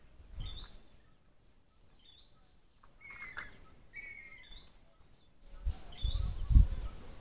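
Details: Wild bird singing near a steep clifftop, heard from the edge above a drop of perhaps 30 to 50 metres. Short, clear whistled phrases come in spaced bursts, some pure and level, others slurred, with low wind rumble at the start and louder gusts near the end.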